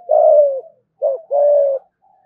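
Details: Spotted dove kept as a lure bird, cooing in the deep 'giọng thổ' thúc gù style: a long low steady coo, a brief note, then a second drawn-out coo with a slight fall, quiet background.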